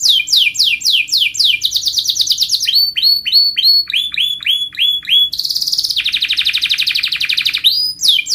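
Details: Canary training song for young canaries, long and tightly rolled: fast repeated downswept notes shifting between high and lower tours, then a rapid buzzy trill, all bright and high-pitched.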